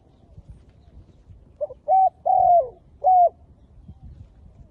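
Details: Spotted dove used as a decoy in bird trapping, calling to wild doves: one short low note, then three mellow, slightly hoarse coos, the middle one longest and falling at the end, with a faint rural background.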